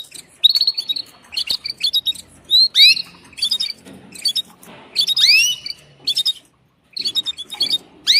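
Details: A female canary calls to a male for mating, giving bright, high chirps and rising-falling twitters in short bursts, repeated with brief pauses over several seconds.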